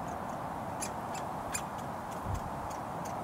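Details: Hungry woodpecker fledgling begging while being fed in a front garden by a road in Surrey, June 2022: sharp, clicky calls repeated at uneven intervals over a steady roar of traffic.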